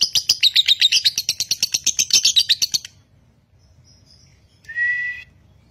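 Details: Konslet lovebird bred in Nganjuk, singing continuously. Rapid high chattering notes run for about three seconds and then stop, leaving near silence broken by a short steady whistled tone.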